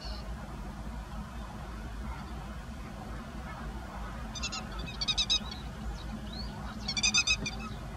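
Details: Grey-headed lapwing, a parent with chicks in a rice field, recorded 16 May 2017 on a Nikon COOLPIX P900: two bursts of rapid, harsh, stuttering notes later in the clip over steady low rumbling background noise.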